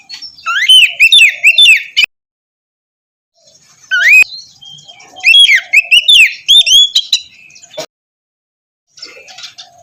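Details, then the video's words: Morning lure song of the white-rumped shama for a bird slow to sing: rich, rapid phrases of looping whistles and sweeping notes, delivered in two long bursts with pauses between. "terapi pagi cocok untuk mancing kacer malas bunyi agar cepat gacor"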